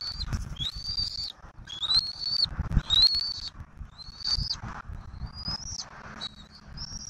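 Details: Southwest Florida bald eagle nest camera, 15 March 2024, during feeding of an eaglet with turtle prey: a series of thin high whistled notes, some slightly rising, about one per second, over steady low rumble.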